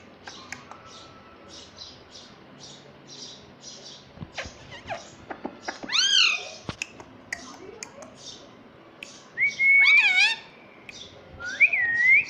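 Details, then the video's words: Pet rose-ringed parakeet, a talking green ringneck parrot, makes soft clicks and ticks, then loud swooping, nasal, voice-like calls rising and falling at about six, ten and twelve seconds. "Parrot Talking || Bolne wala tota"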